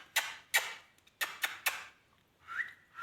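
A pet ringneck parakeet gives five sharp, harsh clicks or chirps over under two seconds, then a clear whistle that rises and holds steady.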